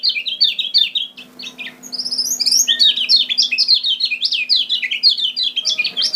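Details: Kecial kuning from Lombok, a lure recording for attracting birds: an almost continuous, hurried stream of high zigzag chirps with a brief break, then an even busier, louder twittering warble to the end; a faint low hum underneath.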